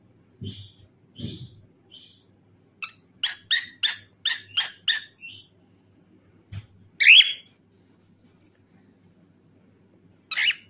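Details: Cockatiel giving short high chirps: a few soft whistled notes, then a rapid series of six sharp chirps and two louder harsh squawks, with soft low thumps in a quiet indoor room.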